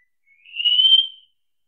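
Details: Wallcreeper singing a single long, thin whistle that swells and rises slightly before fading away, against a silent background.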